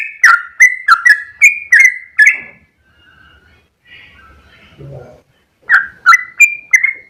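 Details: Sooty-headed bulbul giving a long ropel song: a fast run of whistled slurred notes for two seconds, then a pause with faint low sounds, then another quick burst of whistles.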